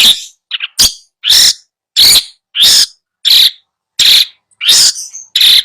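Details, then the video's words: Long-tailed shrike song used to coax a silent bird into singing: harsh, broadband notes repeated about once every 0.7 seconds, loud and evenly spaced, with one short higher chirp early on. "Masteran Cendet Males bunyi"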